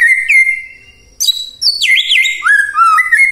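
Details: ['White-rumped shama singing in a morning recording meant to goad silent shamas: long pure whistles, then a jump to high notes and a wavering warbled phrase that settles into lower sliding whistles.']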